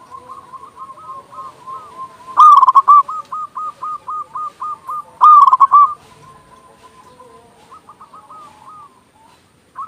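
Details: Local zebra dove with a powerful voice, tutor song to draw in doves and raise their urge to sing. Soft rolling coo series, two loud stuttered bursts linked by a long run of even repeated coos, then quieter cooing.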